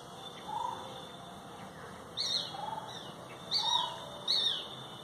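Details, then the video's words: Birds singing in rural Bengal: soft, low whistled notes spaced about a second and a half apart, mixed with sharper, higher chirps in quick bursts, over a steady background hiss. "গ্রামবাংলার পাখির ডাক"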